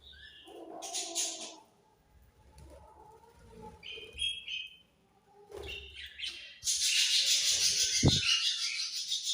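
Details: Budgerigars chattering: varied squawks, short whistled notes and scratchy warbles in irregular bursts, ending in a long, loud continuous stretch of dense high chatter.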